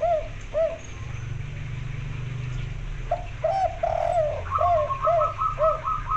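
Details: White-barred local zebra dove, female, calling to the male to mate: repeated soft arched coos and a rolling trill, joined by a higher, faster series of repeated notes near the end, over low hum.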